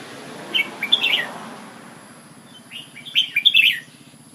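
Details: Red-whiskered bulbul from Ubon, Thailand, singing a short warbled phrase, pausing, then a louder rolling series of whistles, amid noticeable background rustle.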